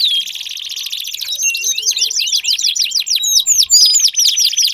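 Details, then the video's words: Canary singing to stimulate another canary, bright whistled notes leading into quick repeated downward chirps and looping high phrases. "Pancingan Ampuh Kenari Gacor Panjang, 4 Suara Burung Kenari Ampuh Untuk Pancingan Kenari Macet Bunyi"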